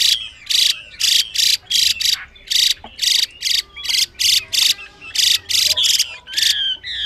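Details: Chinese hwamei female calling to rouse a male into song, delivering rapid rasping buzzes in a quick, slightly uneven series, with a few thin whistled slurs between some bursts.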